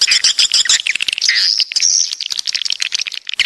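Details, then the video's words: Coastal swiftlets from the south chirp in quick, high twitters, with a clear whistled note standing out among overlapping buzzy calls and dry clicks. "Suara Walet Pantai Dari Selatan"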